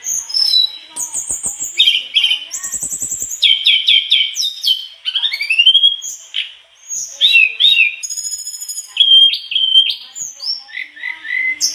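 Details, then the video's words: Gacor mangrove blue flycatcher showing off its isian phrases: rapid varied medley of buzzy trills, fast stuttering notes, rising whistles and high chattering bursts, switching pattern every second or so. "Tledekan bakau gacor bongkar isian"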